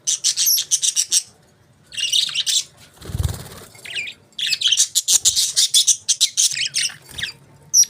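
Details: Budgies chirping in busy runs of rapid high buzzy chatter, broken by a short low thump and a pause, then resuming in a dense burst.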